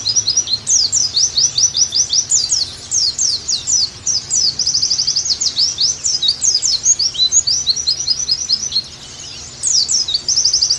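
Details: Oriental white-eye (pleci) song for conditioning and tutoring a cage bird to sing well again: a long, high, rapid chatter of thin sweeping notes mixed with fast even trills, almost continuous with one brief pause.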